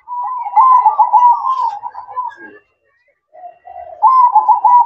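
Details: Zebra dove singing at night, a long soft, trilling coo run with wavering notes, a short pause, then another rolling phrase begins.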